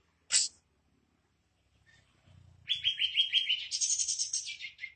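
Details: Sooty-headed bulbul lure song used to get captive birds singing: one sharp burst, a pause, then a fast warbling run of rising notes that climbs higher and ends on a falling note, with faint low rumble beneath.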